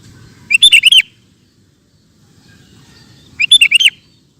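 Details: Kutilang, the sooty-headed bulbul, singing a lively song meant for training caged birds: two bubbly phrases of four or five quick rolling whistled notes, about three seconds apart, with soft low hum between.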